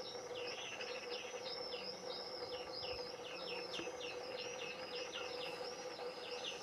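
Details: Young European greenfinches calling insistently as the male feeds them in a garden, first juveniles of 2021; rapid repeated high arched chirps run unbroken throughout, with a faint steady hum beneath.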